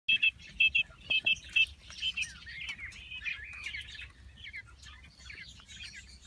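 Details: Common quail (Coturnix coturnix), males and females in a spacious enclosure where males compete for females with loud calls and females call to attract males: quick, liquid, high-pitched notes in pairs and triplets, then softer busy chirping; faint low rumble.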